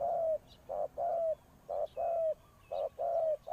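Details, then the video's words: Spotted dove decoy calling wild birds, its low coos alternating a clipped note with a longer one that bends downward at the end, about one pair per second. "chim cu mồi gáy gọi bổi"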